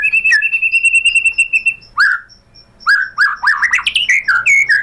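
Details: White-rumped shama singing as a provocation lure: a steady rapid whistled trill, then loud slurred whistles and a fast burst of jumbled chattering notes.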